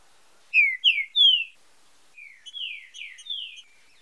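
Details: Green-winged saltator training song, fibra com marcheado style: three loud descending whistles, then a softer answering series of falling slurred notes.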